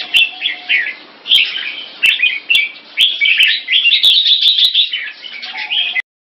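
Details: Red-whiskered bulbul at a singing competition in Singapore, taking its first win: lively twittering phrases building into a fast, continuous run before stopping abruptly, with clicks and a faint low whistle behind.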